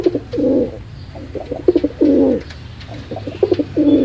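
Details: Pigeon cooing steadily: short stuttered notes alternate with full, rolling coos about every one and a half seconds, low-pitched and resonant.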